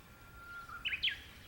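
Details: Japanese bush warbler singing in the mountains early in the morning, heard during bracken picking: a long, steady, low whistle that swells, then a quick bright rising-and-falling flourish, over a soft rumbling outdoor background.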